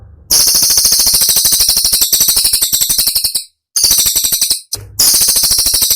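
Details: Caged-bird training recording of a cililin, described as sharp, dense and fierce: long runs of fast, high, piercing staccato notes with two short breaks, the notes repeating in rapid clipped bursts.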